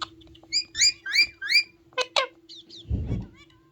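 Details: Ringneck parrot indoors, during talking practice in which a parrot voice is played from a mobile phone, giving a run of short high squeaky rising chirps, with a steady low hum and a thump near the end.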